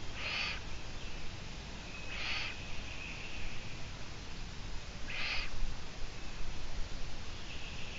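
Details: Long-eared owl at a live-streamed site, recorded 17 June 2017 at 12:14; three short, harsh, broadband hissing bursts spaced about two to three seconds apart over a steady low background hum.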